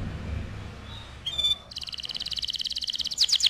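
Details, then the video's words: Canary singing for use as a tutoring master: faint background noise, a short ringing whistle, then a rapid high trill rising in loudness, closing on sharp sweeping notes. "SUARA KENARI GACOR AMPUH UNTUK MASTERAN"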